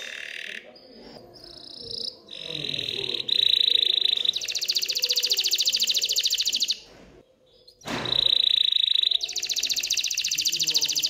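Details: Excited canary song for stimulating females to mate and build a nest, varied whistles leading into long rapid high trills, a brief break, then trilling again, with some low background noise.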